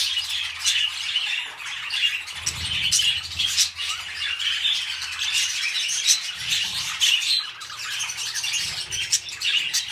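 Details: Mating pet budgerigars starting a new breeding cycle give steady warbling chatter, rapid clicks and squeaky notes run together without pause, with brief fluttering bursts and a faint low hum.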